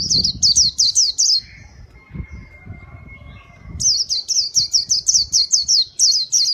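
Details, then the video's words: White-eye song used as a bird lure: a quick string of high sliding chirps, a pause with a thin steady whistle, then a longer rapid run of sharp descending notes. "Kicau pleci gacor paling ampuh buat pikat"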